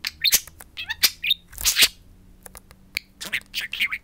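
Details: Two pet budgerigars speaking to their mirror indoors; rapid scratchy squawks and bright chirps alternate with short pauses, ending in a cluster of warbled notes.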